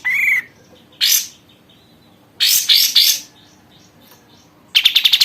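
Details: Caged sooty-headed bulbul after one month of care, singing actively: a short whistled note, then harsh bursts of dense chirps at irregular intervals with quiet gaps between them.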